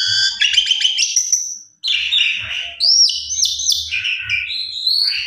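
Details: Energetic song of a Javan pied starling used to provoke a quiet bird into singing: harsh chattering phrases, buzzy rattles and rising and falling whistles, with one brief pause.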